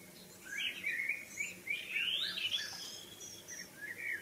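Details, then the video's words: Wild birds singing in the evening: quick, twittering high-pitched phrases of chirps and short slurred whistles run almost continuously, with a faint low hum beneath. "3 minutes of birdsounds in the evening"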